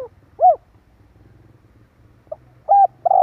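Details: Spotted dove lure call. A loud rounded coo, then a short note and the start of another phrase with a level coo, over a faint low engine hum.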